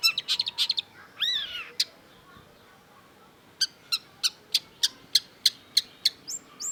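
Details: Long-tailed shrike singing: a burst of rapid high chattering and a couple of looping slurred notes, a pause, then a string of crisp high chips repeated about every third of a second.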